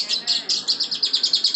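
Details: Lovebird in ngekek, a long-duration trilling song kept going for minutes: a rapid run of high, shrill chirps about every tenth of a second, pulsing steadily with no break.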